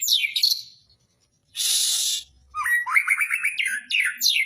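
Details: Magpie-robin in full song at a bird-singing competition, long-duration performance: descending slurred whistles, a harsh hissing burst, then a fast run of stuttered rising notes and high sweeps.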